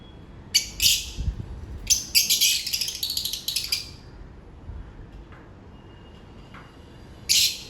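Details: African lovebirds in daily routine give scratchy, high twittering bursts, an excited chattering stretch around the middle, then quiet before one final loud shriek.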